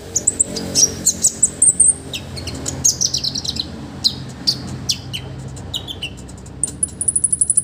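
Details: Lively olive-backed sunbird in full song for training other birds: scattered high, thin tweets and sharp ticks, a short descending twitter, and a fast, even, high-pitched trill at the close.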